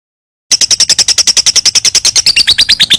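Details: Lovebird giving its long ngekek song, a rapid trill used as a master recording for training other birds: a fast, even series of sharp high chirps, roughly seven per second, dropping slightly in pitch near the end.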